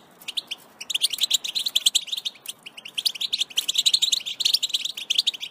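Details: Batbata-style song from a wild European goldfinch, recorded in nature in 2021: starts with scattered chirps, then builds into continuous bubbling, high twittering phrases.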